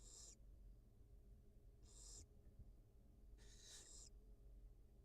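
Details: Wild barn owl mother feeding her two newly hatched nestlings at a live-camera nest: three harsh, breathy hissing bursts, each about half a second, spaced under two seconds apart, over a steady low hum.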